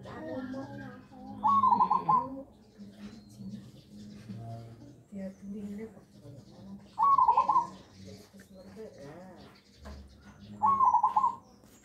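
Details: Pet zebra dove, roughly a year old, hand-fed since young and tame, performing nggayer cooing in a deep, full voice. Three quavering coo phrases are heard, with background chatter and a low hum.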